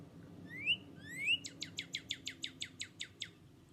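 Northern Cardinal song: two rising slurred whistles, then a fast run of about a dozen sharp down-slurred notes at roughly seven per second, over a faint low hum.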